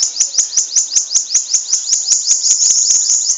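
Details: Bananaquit, a caged bird kept in Natal, Brazil, singing its long song: a fast series of high, thin buzzy notes repeated about two and a half times a second, steady throughout.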